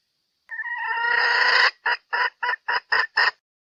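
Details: Female red junglefowl from Sumatra, call used as a lure for trapping: one drawn-out, harmonic, slightly rising note of about a second, then six short clipped notes in quick, evenly spaced succession; quiet background.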